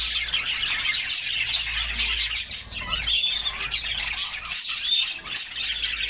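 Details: Several canaries in summer, splashing in a refreshing bath as they sing; a steady wash of high chirps and trills, with a clear whistled note near the end over the overlapping chatter.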